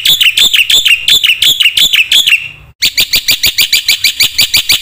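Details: Black-winged myna singing a phrase-rich isian song meant to lure and tutor silent birds: quick piercing notes repeated about three times a second, a short break, then another steady rapid series.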